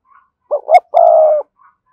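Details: One full coo phrase from a spotted dove decoy bird with a spirited 'thúc' voice: two short rising notes, then a long, steady, low hollow coo.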